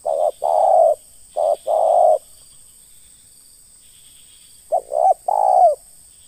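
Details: Spotted dove used as a lure bird in trapping, giving its deep ruk call: short hollow coos in groups, a brief note followed by a longer rolling one, repeated after a pause, over a steady high hiss.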